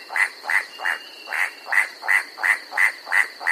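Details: White-striped Forest Rail, a shy rufous rainforest-floor rail living in pairs or small groups, giving an incessant clacking: evenly spaced hard notes, about three a second, steady and unbroken, with a faint high insect-like hum behind.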